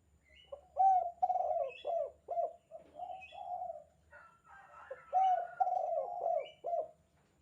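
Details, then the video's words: Spotted dove in 'kuk 2' style calling, kept as a master recording for teaching doves: rapid series of deep, slurred coos about twice a second, with a brief rough noise midway and faint high chirps above. "suara panggilan tekukur kuk 2 gacor"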